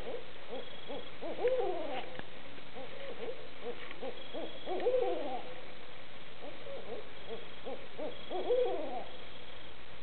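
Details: Barred owls (Strix varia) calling in Barnegat, New Jersey, on 26 October 2014. They trade deep, rhythmic hooting phrases, with a louder emphatic note roughly every three to four seconds, over a low background rumble.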